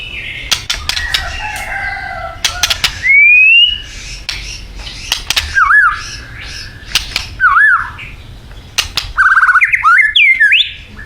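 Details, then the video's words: Thai white-rumped shama performing its isian. Clicks and rattles alternate with loud whistles: a long rising slur, then repeated dipping notes and upward-swooping phrases. "Murai Batu Thailand bikin ngeri isiannya"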